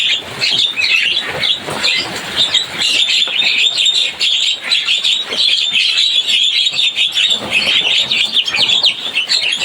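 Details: Busy Javan myna chirping: a constant stream of shrill overlapping squeaks and tweets, dense and unbroken, giving a loud crowded feel.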